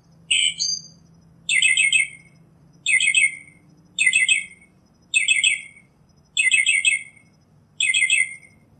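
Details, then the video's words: Wild Northern mockingbird song: one slurred opening phrase, then a new phrase of rapid buzzy chattering bursts repeated six times at steady intervals of about one second, over a faint low hum. "Birds Singing - Northern Mockingbird"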